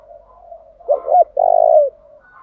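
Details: Caged decoy spotted dove delivering a single 'thúc gù' phrase meant to make wild doves answer: a pair of quick, rounded notes followed by a drawn-out, buzzy coo over a faint continuous low hum of cooing.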